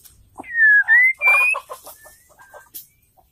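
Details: ['Female white-rumped shama call, played to get males singing: three loud whistled notes, slurred down then up, with soft clucking and knocking sounds beneath and after.']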